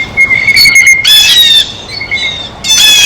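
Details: Blue jay calling while feeding at a feeder; harsh, raspy squawks in short bursts, with a thin steady high tone running underneath.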